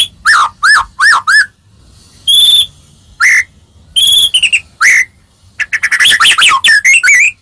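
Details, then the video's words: White-rumped shama song played to make other shamas answer: loud varied whistles, rising and falling clear notes in quick bursts, separated by short pauses, ending in a rapid chattering phrase. "Suara Merdu Murai Ini Selalu Berhasil Buat Murai Apapun Langsung Nyaut"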